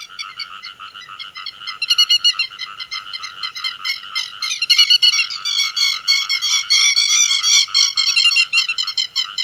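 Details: Grey-headed lapwing calling to the flock, used for net trapping by day and night: dense, chattering harsh calls that overlap and build into a loud rapid jumble midway.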